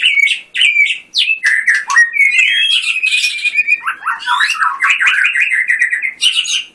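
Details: Competition white-rumped shama in energetic song, loud whistled phrases and slurred notes interspersed with clicks and a rapid rolling trill.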